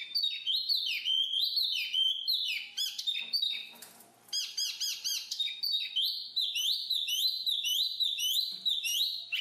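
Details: Black-capped babbler giving a long, rapid series of repeated bright chirping notes, about three to four per second, briefly interrupted by a burst of noisy chatter before resuming the fast rhythmic chirps.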